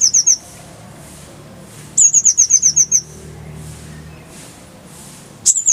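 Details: Rapid high chip series from a Van Hasselt's sunbird, a brief burst, then a longer run of about eight sharp metallic notes, and a final quick flurry, from a clear-voiced tutor recording meant for training songbirds.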